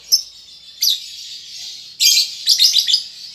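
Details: Young lovebird still learning to chatter, with a few sharp chirps over soft buzzing, then a quick shrill stuttering burst of clipped notes.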